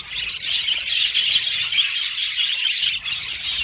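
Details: Male violet budgerigars in an aviary colony, a dense continuous chorus of high chirps and warbles with squeaky notes layered over each other, no single bird standing out.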